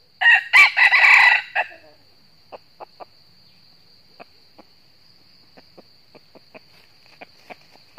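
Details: A wild red junglefowl in northern Vietnam crows fiercely in a duel with a decoy cock at a trap. One hoarse, broken crow lasts about a second and a half, then scattered soft clucks follow.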